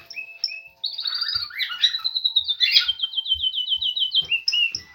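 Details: Canary's early spring song: short whistles lead into a bubbling warble and a long, evenly paced run of rapid repeated notes, with soft low knocks beneath.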